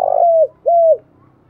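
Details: Decoy spotted dove cooing at dawn to call in wild birds: the end of a throbbing note followed by two smooth, low, level coos that drop away at their ends, over a faint background hum.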